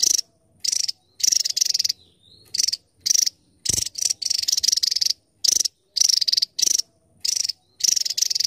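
Javan tesia song: very high, rapid buzzy twittering in short bursts of about half a second, repeated with brief pauses and almost insect-like in tone.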